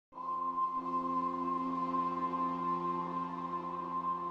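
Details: A calm musical drone with a sustained ringing tone, like a singing bowl, sounds throughout.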